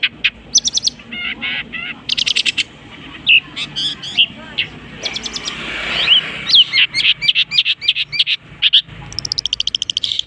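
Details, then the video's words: Long-tailed shrike singing actively and mimicking other bird species: a varied medley of sharp rattling bursts, buzzy chatters and pure whistled notes, with high trills and abrupt changes of phrase over ten seconds. "unik nya burung cendet bisa menirukan jenis burung apapun"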